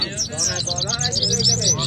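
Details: Canaries dueling in a singing competition in Quetta: rapid high-pitched chirps and rolling trills pour out continuously, with a faint low rumble and murmuring beneath.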